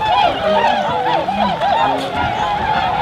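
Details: A huge flock of Tundra swans, spooked by a deer and all trying to take off, gives a dense chorus of mellow, wavering hoots and bugling notes overlapping without pause; Aylmer Wildlife Management Area, Ontario, Canada, March 18, 2017.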